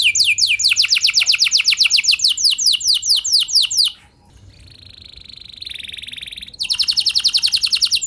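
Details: Canary song meant to set other canaries singing: rapid rolling trills of repeated downslurred notes, a short lull, a steady sustained whistled tone, then another fast trill.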